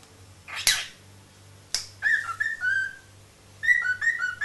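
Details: Cockatiel (Nymphicus hollandicus), whistled song.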